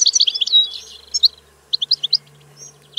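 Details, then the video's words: Goldfinch song snippet, European species: a dense burst of high twittering notes, a pause, then four evenly spaced bright chirps. "Canto del Cardellino - Song of the goldfinch"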